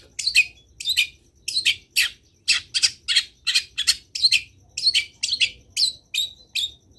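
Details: Long-tailed shrike in full, lively song, delivering a steady run of about twenty harsh, buzzy chattering notes with brief gaps between them.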